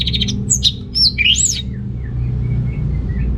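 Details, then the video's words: Orange-headed thrush (Geokichla citrina) song for stirring males lacking breeding drive; a short sweet phrase of high looping whistles and chirps, followed by faint distant notes over low rumble. "ANIS MERAH Gacor Untuk Pancingan AM Jantan yang Kurang Birahi, Semua Burung Pasti Ikutan Bunyi"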